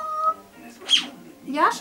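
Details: Grey parrot in a home imitating human speech, changing between male and female voices, saying words like hello and bye: short tonal vocal bursts, a high squeaky syllable near one second, then a harmonic-rich phrase.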